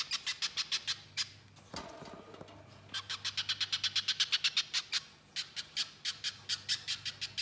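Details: A Little spiderhunter in full song gives sharp, high chipping notes about twice a second in long runs, with a short break and a faint low hum beneath.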